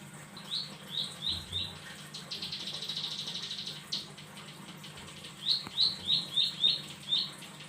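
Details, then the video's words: Bar-winged prinia singing: a run of short, high, upswept chirps, then a dense buzzy trill for nearly two seconds, followed by another series of quick rising chirps, all fairly faint. "Ciblek sawah gacor"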